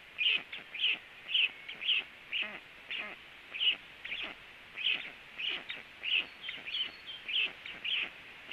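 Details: Late-morning sounds from a black stork nest as a stork lands beside another: a long run of quick, bright, scratchy notes, roughly two per second, slightly irregular, with a thin whistle-like streak near the end.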